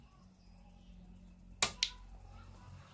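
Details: Quiet room hum broken by two sharp snapping clicks midway, with no animal sound.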